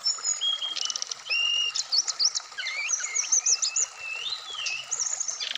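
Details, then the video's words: A Black-throated laughingthrush, placed out in the morning dew, sings a rich, varied stream of clear whistles, slurred rising and falling notes and quick chattering bursts, delivered almost without pause. "terapi srdc biar cepat bunyi wikplong Dan gacor full variasian"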